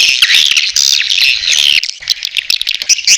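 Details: Swiftlets in a Borneo recording used to attract more swiftlets. Shrill, sweeping twitters run almost without a break, then turn choppier.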